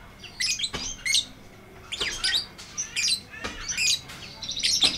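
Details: Lovebird singing a long ngekek chatter, recorded as a tutor track for lovebirds that have stopped singing. Harsh, squeaky bursts are separated by brief pauses, with sharp clicks, in a quiet room.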